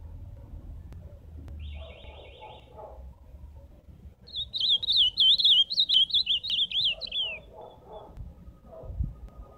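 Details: Ultramarine grosbeak singing live: after a short buzzy trill, a phrase of about three seconds of clear, high, warbling whistled notes rising and falling in quick succession, over low background rumble.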